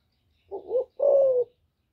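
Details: Female spotted dove calling to arouse males: one low two-part coo, a brief rising syllable then a sustained, slightly descending hoot, over faint low rumble.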